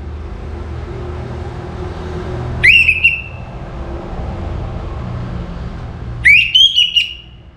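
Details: Caged orange-headed thrush singing before morning: two loud whistled phrases about three seconds apart, each rising sharply then holding a warbling tone, over a steady low engine-like hum.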